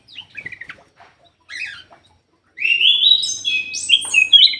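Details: Ruby-throated bulbul singing as a lure for birds reluctant to sing; soft scattered notes and a short burst, a silence, then a sustained bright run of whistled, sliding phrases.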